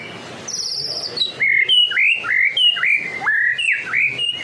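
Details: White-rumped shama from Medan, singing loudly as a lure for other shamas: a high buzzy phrase, then a string of about six clear, downslurred whistles with upward hooks, delivered quickly and evenly.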